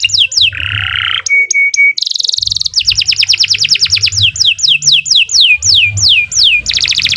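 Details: Gacor canary song for masteran: falling slurred whistles, a buzzy burst, three short flat piping notes, then long runs of quick descending sweeps repeated several times a second, loud and clear.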